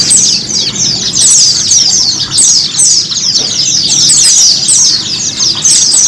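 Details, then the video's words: White-eye song played as a therapy recording meant to bring caged white-eyes to sing (ngiriwik, ngalas, open beak, gacor): dense, very high, thin chirps and quick descending trilled phrases, overlapping almost without pause throughout. "TERAPI PLECI mempercepat pleci ngiriwik, pleci ngalas,pleci buka paruh,dan pleci gacor."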